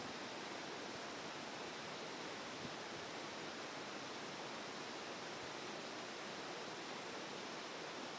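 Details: Constant rushing of a mountain stream covers everything, with no animal calls standing out.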